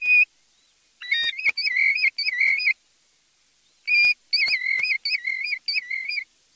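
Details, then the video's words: European golden plover giving clear, mournful whistles in two bursts, single notes then quick runs of wavering, slightly rising whistles, with a few sharp clicks between. "Piviere dorato canto richiamo"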